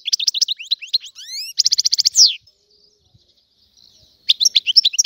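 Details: Algerian European goldfinch song: twittering notes, a series of rising whistled slides, a rattling trill and a descending buzz, silence, then twittering resumes.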